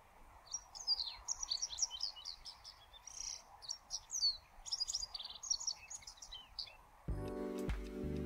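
Japanese Wagtail singing a run of bright, high twittering and squeaky notes for about six seconds, followed by a burst of music at the end.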